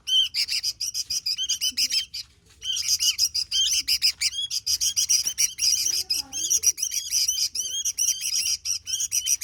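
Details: Sooty-headed bulbul in full, vigorous song, a continuous stream of rapid high chirps and twittering trills with a short break just after the second second. Faint low rumble underneath.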